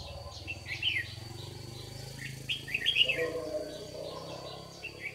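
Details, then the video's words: Morning competitive song of a white-cheeked red-whiskered bulbul lure bird during trapping in Đồng Nai, Vietnam, June 2019: clear liquid warbled notes in short phrases, with a low rumbling hum beneath. "Bẫy chào mào Má trắng đấu sáng cầu đánh đuôi như bổi già"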